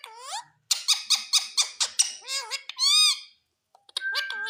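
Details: An Indian green rose-ringed parakeet (Psittacula krameri) talks in a shrill, squeaky voice: about nine quick clipped syllables, then a long rising-and-falling whistled word and a final flat squeal.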